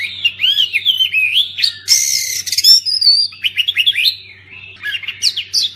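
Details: Oriental magpie-robin singing to prompt silent birds: warbled whistles, a loud harsh buzzy burst near the middle, then quick chirps and upslurred notes, over a low steady hum.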